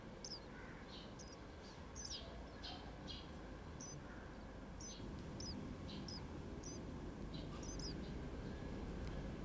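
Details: Active nestling birds inside a bird house, 19 May 2023, give thin, high chips about one a second, some in quick doubles, over a steady low rumble like distant traffic.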